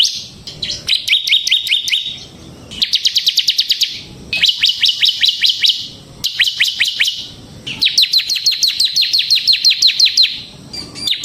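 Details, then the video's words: Bar-winged prinia of the semi type in full, continuous ngebren song, used to lure kristal-type prinias and tutor others: rapid bursts of sharp, high repeated notes, each phrase about one to two seconds, with short pauses between. "suara burung CIBLEK SEMI GACOR Ngebren Ampuh untuk Pancingan Ciblek Kristal dan Masteran Ciblek"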